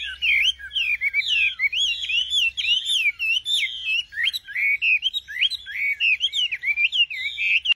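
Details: Nightingale pouring out continuous song, with swooping whistles and quick chirps tumbling in an unbroken, varied stream over a faint low hum.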